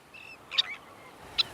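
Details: At Blakeney Point, Norfolk, in summer, where up to 3,000–4,000 Sandwich terns nest, a Sandwich tern gives two short, harsh, grating, high rasping calls about a second apart. A faint whistle comes just before, over soft hiss.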